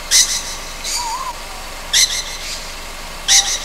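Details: Nighttime call of a juvenile Ryukyu scops owl, Amami Ōshima: three sharp, scratchy hisses with one gentle, arching whistle between the first two.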